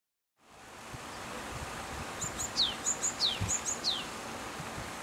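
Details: Japanese tit singing: three quick phrases, each a pair of very high thin notes followed by a sharply falling whistled slur, repeated about once per second over steady outdoor background noise.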